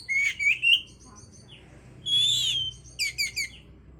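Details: Oriental magpie-robin song to stimulate breeding condition: rising whistled notes, a long loud sustained whistle, then a rapid series of four descending chirps over low background hum.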